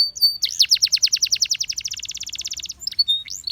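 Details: Gloster canary singing a powerful, high, rapid trill of rising-falling notes that repeats evenly for about two seconds, then breaks into a few scattered whistled notes.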